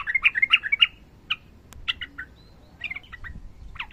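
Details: Sooty-headed bulbul, fighting, rapid song: a lively run of bubbly chirps in the first second, then sparse quieter whistled notes separated by pauses.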